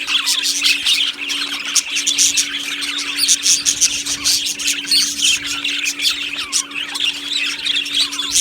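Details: Colony of budgies, Australian parrots, in an aviary, chirping together: a dense, continuous chatter of high warbled chirps and squawks from many birds at once, with a steady low hum in the background.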